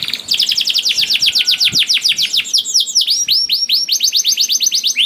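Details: Lively singing canary, used as a lure to get reluctant canaries singing: a quick series of descending sweeps runs into a chain of short, bright, upward-flicked notes, all high and clear.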